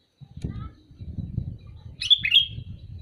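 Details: Sooty-headed bulbul call heard as one brief, bright, bubbly two-part whistled phrase near the end, over low murmuring background noise.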